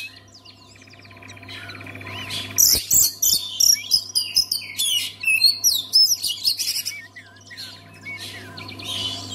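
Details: Oriental magpie-robin song meant to make other magpie-robins sing: soft buzzy trills at first, then a dense stream of sharp whistles, clicks and slurs, fading to quieter notes, with a steady low hum throughout.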